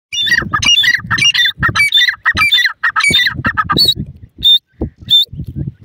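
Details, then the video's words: Grey francolin, a partridge-like bird of the forest, giving loud harsh repeated squawking calls in rapid bursts, followed by a few single high sharp notes at the end. "teetar ki best awaaz,partridge babies bird in forest,pheasant voice"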